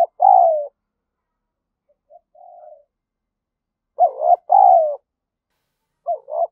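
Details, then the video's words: Spotted dove cooing as a lure call to stimulate other doves, low hollow coos in a paired phrase, a quiet note between, then the phrase repeats, clean and without background sound. "chim cu gáy mồi gáy thúc và gù"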